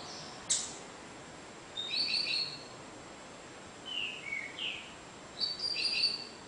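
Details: Double-collared seedeater, said to sing on average 30 songs a minute: faint, short, buzzy high phrases in three separate bursts, with a sharp click near the start, over steady hiss and a thin high hum.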